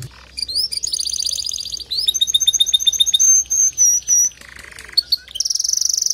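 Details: Male canary singing to prompt a female to build her nest quickly: varied phrases of high trills, fast repeated chirps, a low buzzy rattle and sustained whistled notes, changing every second or so.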